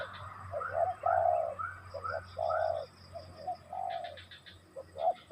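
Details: Spotted dove (tekukur) delivering a run of soft, hollow coos of uneven length, one long drawn note standing out, mixed with brief higher chirps from other birds.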